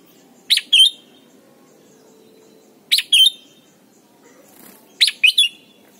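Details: Red-whiskered bulbul song for teaching young birds: three loud identical phrases about two and a half seconds apart, each a sharp high note followed by a bright downslurred whistle, with quiet background between.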